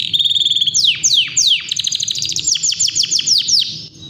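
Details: Nonstop song of a Yorkshire canary: a sequence of sharp descending whistled sweeps that speeds into a steady rolling trill of rapidly repeated notes, loud and high-pitched throughout.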